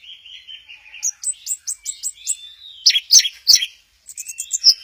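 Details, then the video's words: Singing Orange-headed thrush from Kesamben, swaying 'goyang inul' style, gives soft whistled warbles followed by a rhythmic series of high chirps about every quarter second, then loud harsh notes and more twittering. "Burung Anis merah, lagi goyang inul"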